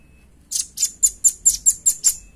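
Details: Velvet-fronted nuthatch sound meant for luring and tutoring other birds: eight sharp, very high, staccato notes evenly spaced about four per second, clean with a quiet background.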